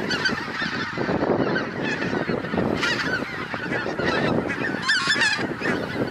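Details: Massive goose flock settling on a pasture after crossing the treetops; continuous loud honking, individual higher yelping calls rising above the din near three and five seconds.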